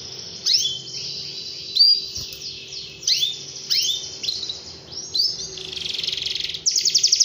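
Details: Singing canary delivering repeated downward-swooping whistled notes in groups, then a soft buzzy stretch and a rapid high trill at the end; low mechanical hum in the background.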